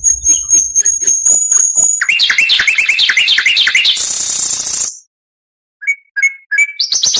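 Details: Varied oriental magpie-robin song meant as tutoring material: a sustained high whistle over clicks, then a rushed jumble of chirps and buzzes, silence, and short whistled notes.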